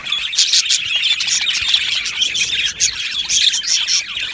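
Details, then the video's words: Aviary colony of budgerigars producing loud, steady high chatter: rapid chirps, squeaks and short squawks from several birds at once, continuous across the recording. "Beautiful Budgies Birds Singing and Chirping Sounds"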